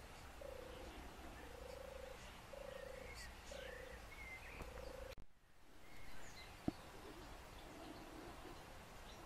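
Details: European turtle dove in Lower Silesia, Poland, a seriously endangered bird with 5 nests and 14 individuals on 4 square km here; five low, rolling purrs repeated about once a second, then a sharp knock and faint distant bird notes.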